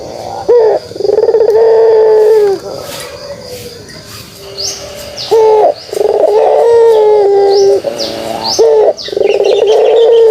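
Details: Kugeruk call of a pelung turtle dove: a sustained low coo, a quieter gap, then longer coos in sequence, with bright high chirps from small birds in the background.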